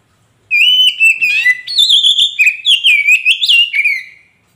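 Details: A magpie robin delivers a flowing series of bright whistles, slurring up and down with rapid trills, then fades out; used to prompt a caged bird into answering song.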